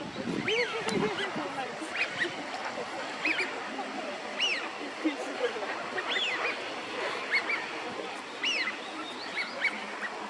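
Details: Several wintering Eurasian wigeons on a park pond in Chiba, Japan, February 2025, give clear, rising-falling whistles, each about half a second, repeated every second or so over a soft background murmur.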